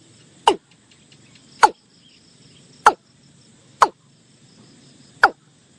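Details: Watercock, or kora, giving five abrupt downward-sliding notes at uneven intervals of one to one and a half seconds, with faint high insect hum behind.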